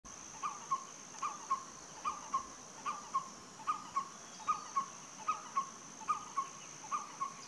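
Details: Moustached barbet in Vietnam, 2023: hollow, mid-pitched paired notes repeated steadily about every second, over a constant high insect drone.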